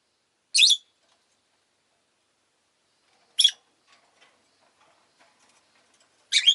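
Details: Kept rosy-faced lovebirds, a group vocalizing often that day: three isolated, sharp, scratchy chirps spaced about three seconds apart, with near silence between them.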